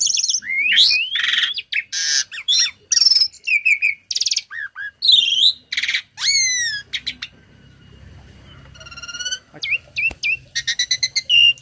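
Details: Tame captive starling singing a song packed with learned imitated phrases, used to tutor other songbirds: varied whistles, rising and falling sweeps, buzzy bursts and sharp chirps in quick succession, with brief pauses between phrases.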